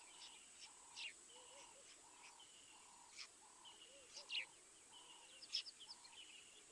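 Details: Crimson-breasted shrike at Mabula, 7:20 AM SAST, 19 September 2023: clear whistled notes about every half second, answered by lower arched notes, with scattered high sharp chirps from other birds in the background.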